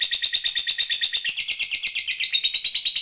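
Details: A prolific fighter lovebird keeps up the long trill called ngekek panjang, meant to spur other lovebirds into singing: even, rapid, high-pitched pulsed chatter, steady throughout, with a slight drop in pitch halfway.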